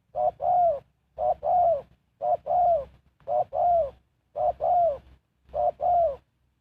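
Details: Spotted dove kept as a lure for wild birds, repeating a short coo followed by a longer downward-curving coo, six even pairs spaced about a second apart.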